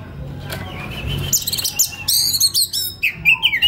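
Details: Relaxed singing of a white-rumped shama, a young forest-caught bird's master recording: a steady whistled note near the start, then bursts of bright, rapid, varied chirps and trills in the second half.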